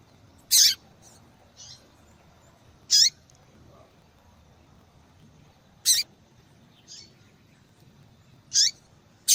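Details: A female yellow-bellied seedeater repeats short, high, clipped call notes roughly every three seconds, with faint softer notes in between. Breeders use this call to warm up a male for singing.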